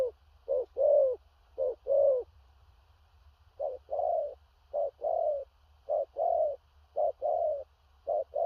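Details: Spotted dove of big build singing powerful 'thổ rặc' coos with a distant-paced, stuttering style. Paired short and long hollow notes come in runs, with a silent pause of over a second midway. A low hum persists.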